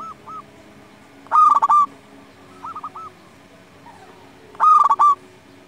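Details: Local zebra dove in loud song, used to provoke other doves into singing: a burst of rapid stuttering coos ending in a held note, given twice, with softer, lower answering coo phrases from a quieter dove in between.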